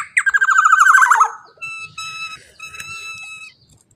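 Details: Black-naped oriole, teler-style song: fast harsh rattling series falling slightly in pitch, followed by drawn-out nasal, reedy mewing tones in two long phrases.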